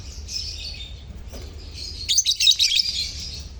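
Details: Lovebird colony chirping, used to prompt silent lovebirds to sing: dense, overlapping high-pitched twittering and squeaks from many birds, swelling louder midway, over a low steady hum.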